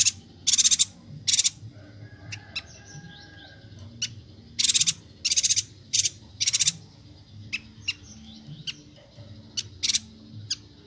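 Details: Bornean yuhina in full song for songbird tutoring: scattered loud buzzy chatter bursts of rapid pulses, interspersed with thin sharp ticks and brief quiet gaps, faint low hum behind.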